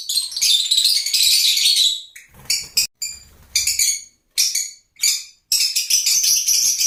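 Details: Shrill, rapid chattering from lovebirds, loud and continuous at first, then broken into short separate bursts of high squeaky chirps with brief silences between them.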